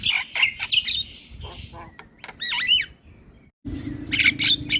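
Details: Morning model song of an Asian pied starling for young birds: scratchy chatter and squawks, a wavy whistled phrase, a brief silent gap, then more harsh notes over a low hum.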